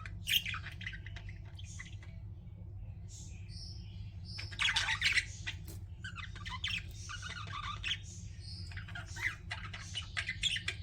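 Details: Pet budgerigars keep up a long run of chattering warbles, squeaks and clicking notes, rising into denser bursts, over a constant low hum.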